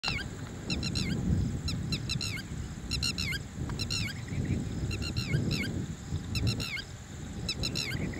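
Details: Red-wattled lapwing calling: sharp, high, piercing notes in rapid bursts of two to four, repeated roughly every second, over loud low rumbling background noise.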